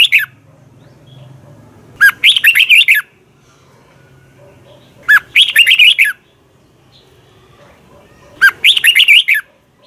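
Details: Red-whiskered bulbul in Thailand giving its training teacher song: three rapid phrases of bright, tumbling chirps, each near one second long, repeated roughly every three seconds. A faint low hum sits in the background.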